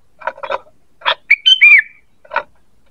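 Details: ['Sooty-headed bulbul lure call: one whistled three-note phrase with a downslurred finish, surrounded by dull knocking sounds before and after.']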